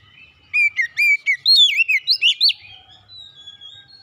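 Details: Oriental magpie-robin song for stress-recovery therapy; after quiet, a quick sequence of about ten loud whistled notes, first level then looping upward, followed by a long faint high whistle.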